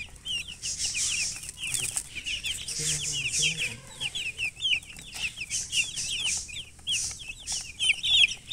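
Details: Chicks of a chicken chirping continuously: dense, overlapping high falling peeps over steady rustling noise, with a brief low murmur in the middle.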